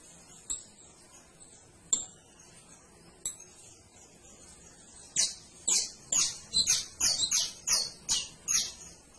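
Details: Canary opening with a few isolated high ticks, then breaking into a quick string of loud, bright chirped notes repeated in rapid succession.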